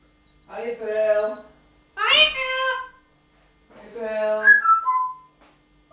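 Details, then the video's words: Talking parrot giving three drawn-out, voice-like phrases with rich harmonics, the middle one sharper and brighter, the last ending in a rising whistled inflection; quiet room otherwise. "the incredible talking Parrot"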